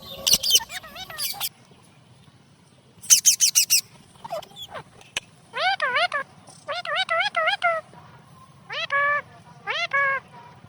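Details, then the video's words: Pet ringneck parrots flirting with each other in a love display: shrill, harsh bursts of high squawks at first, then short runs of wavering, harmonic notes that rise and fall in quick repeated series, over a faint low background hum. "Ringneck កំពុងតែញ៉ែញ៉ងគ្នា (Ringneck parrot love video)"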